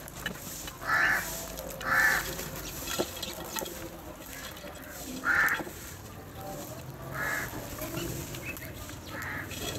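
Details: Crows feeding together and squabbling over food, calling for food with five hoarse, drawn-out caws spaced one to three seconds apart, against steady low background noise.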